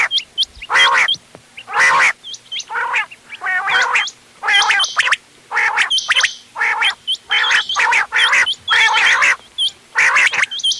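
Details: Quail calls used for hunting, a local crossbred type: loud harsh gargling bursts about once a second, interleaved with thin hooked chirps.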